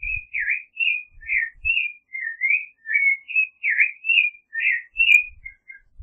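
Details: Continuous song of a creamy-bellied thrush, Turdus amaurochalinus: clear whistled phrases with warbled dips and upslurs, delivered rapidly without gaps, faint low bumps underneath.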